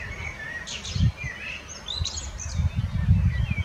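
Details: Common blackbird singing: soft fluted phrases near mid pitch at the start and again around 1.5 seconds, with thin high twittering flourishes, set against heavy low rumbling background noise with thumps.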